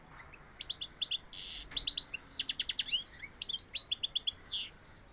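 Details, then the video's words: A European goldfinch delivers Sevillian-style song: a buzzy rasp followed by rapid runs of tinkling twitters, short trills and slurred whistles, closing with a falling note. "Jilguero sevillano"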